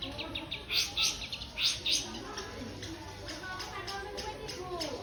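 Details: Long-tailed shrike (cendet) singing, a sound said to raise the bird's price: a few loud, sharp chirped bursts near the start, then softer scratchy notes, with voices murmuring behind.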